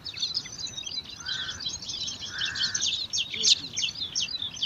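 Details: Five bar-winged prinia chicks competing for food in a nest among alang-alang grass: continuous thin, high twittering from several young, broken by two drawn-out lower nasal notes.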